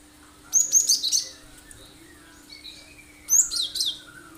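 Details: Cinereous tit (gelatik batu) singing loud, sharp phrases as a lure for other birds; a dense burst of piercing high notes, soft lower twitters, then another strong burst, repeated roughly every three seconds.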